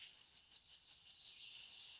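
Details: Black-throated Green Warbler, a Kentucky spring migrant, singing its buzzy song: a run of high zee notes on one pitch, then two different final notes, a slightly lower buzz and a higher, fuller buzzy note.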